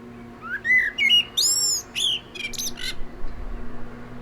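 A blackbird gives a short phrase, a rising fluted whistle followed by quick, higher squeaky notes, over a faint steady low hum.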